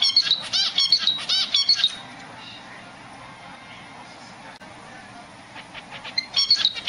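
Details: From its nest a zebra finch calls for its mate, giving a burst of six nasal, harmonic chirps, then about four seconds of near quiet, then a fresh run of buzzy chirps at the end.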